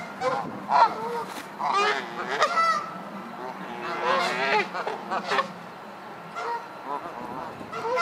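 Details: Several geese quarrelling and fighting aggressively produce a dense, overlapping chorus of harsh honks and wavering cries, nearly continuous across the stretch, fading to quieter scattered calls near the end.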